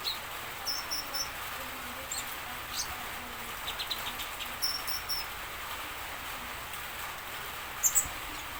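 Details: High-pitched song of a common iora, used to make other birds reply: a few short whistled phrases of three or four notes, separated by quiet gaps, with soft clicks and a steady background hiss.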